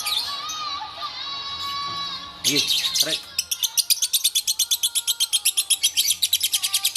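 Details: Bawor lovebird from Takengon, Aceh: long level whistled tones with harmonics, then after a few clicks a rapid run of high, metallic repeated chirps at roughly four per second continuing to the end.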